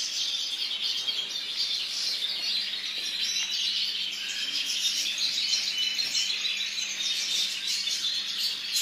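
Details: A white European goldfinch twitters steadily, a dense run of high, tinkling chirps and liquid trills without pause, over a faint low hum.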